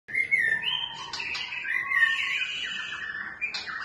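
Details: White-rumped shama singing a rich, varied phrase of clear whistles that slide between mid and high pitches, with a sharp click-like note near the end.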